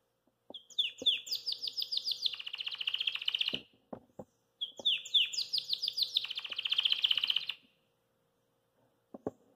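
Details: A Belgian canary, singing after eating kale, gives two bright phrases, each opening with quick descending chirps and settling into a rapid high trill; faint clicks and a low steady hum behind.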